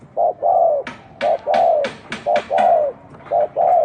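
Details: Unusual cooing of a spotted dove: paired low notes, a short coo followed by a longer drawn one, repeated quickly, with loud sharp clicks sounding between the phrases.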